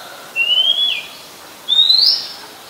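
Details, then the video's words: Oriental magpie-robin in song, Ubon Ratchathani, Thailand, July 2021: a level whistle dropping at its end, then a brighter rising whistle over a second later, against soft steady hiss. "นกกางเขนบ้าน Oriental Magpie Robin (singing)"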